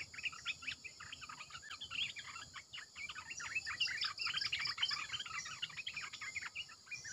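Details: Decoy song of a red-eyed bulbul: continuous lively chatter of crisp short chirps and slurs, several voices overlapping, with a steady high background buzz.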